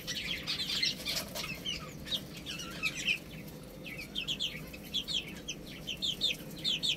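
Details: Chicks feeding on rice make quick high peeps in short bursts over a low background hum, the chirps growing busier and more rhythmic toward the end.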